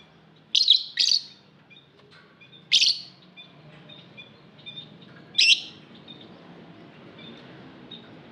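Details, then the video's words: Lovebirds in an aviary giving short, harsh, high chirps in scattered bursts, with several loud calls a second or two apart and faint twittering notes between them. "Lovebird Singing Call & Chirping Sounds"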